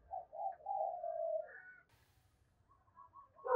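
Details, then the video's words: Spotted dove lure cooing aimed at provoking wild doves: a run of soft coos ending in a drawn-out note, with low background rumble and faint higher notes afterward. "Tiếng Chim Cu Gáy Mồi thúc Gù Kích Bổi Cực Nhạy"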